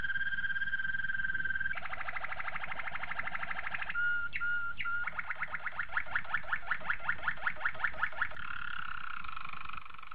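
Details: Malinois Waterslager canary training song: a steady whistled tone, then a fast rattling trill, short clear whistles, a rhythmic series of rising notes and a closing rolling trill.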